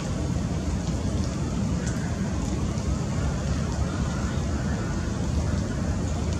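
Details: Constant loud roar of road traffic fills the recording, with no animal voice standing out.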